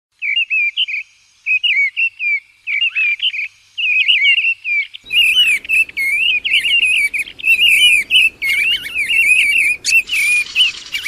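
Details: Mistle thrush during its 2020 migration passage, singing loud fluty warbled phrases around a steady mid-high pitch, delivered in short bursts with brief pauses; a hissy background enters halfway through with faint higher chirps.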